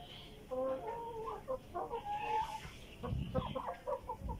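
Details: Tiger chickens being fed vegetables; several birds give soft murmuring clucks and short tonal calls, some drawn out, over steady background noise with low thumps near the end.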